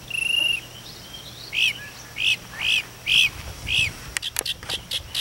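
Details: Mockingbird perched on a chimney at daybreak, calling toward its friends: a short buzzy note, then five evenly spaced sharp chirps about every half second, ending in a burst of clicks and rustling.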